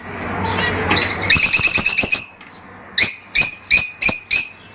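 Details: Lovebirds giving a rapid burst of harsh high chirps, then five evenly spaced shrill calls about every third of a second.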